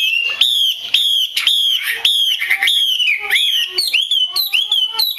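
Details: Female Chinese hwamei calling, used to prompt males to sing. Clear, down-slurred whistled notes repeat roughly twice a second. Rising, hooked notes follow at the end, all loud and bright with rich overtones.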